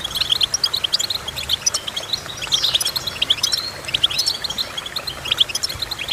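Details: Goldfinch song full of rapid, sparkling chirps and twitters, with a sweeping buzzy slur and a few curved whistled notes woven through the busy chatter.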